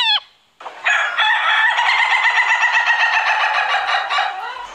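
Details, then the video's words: Rooster gives one long, sustained crow of nearly four seconds, steady and buzzy, after a short rising note at the start. "Rooster crowing"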